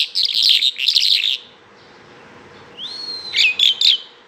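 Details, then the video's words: A bimaculated lark sings two short bursts of bright, jangling twitter, falls silent, then gives a long rising-and-level pure whistle followed by quick chirpy notes. "bimaculatedlark singing"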